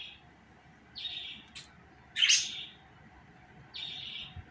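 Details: Budgerigar calling with three short, grating, high chirps, spaced about a second or more apart, plus one louder, broader scratchy burst in the middle and a brief click; faint constant hum underneath.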